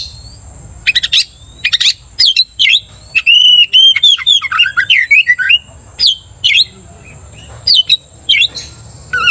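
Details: Gacor Oriental magpie-robin whose vigorous song is meant to rile other magpie-robins: rapid varied phrases of sharp chirps, slurred whistles and quick warbled runs, almost continuous, with a faint constant high-pitched tone behind.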